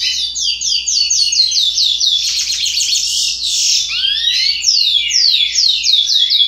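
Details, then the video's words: Juvenile curió (chestnut-bellied seed finch), 60 days old, with song still developing: fast runs of high, slurred notes falling in pitch, repeated in quick series, with a burst of buzzier notes midway and rising-falling sweeps near the end. "Curió Filhote Cantoria Indefinida 60 Dias"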